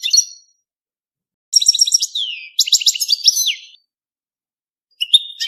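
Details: Mating song of a European goldfinch: rapid buzzy rattles mixed with downslurred whistles, delivered in two dense phrases, then a short rising twitter after a silent gap.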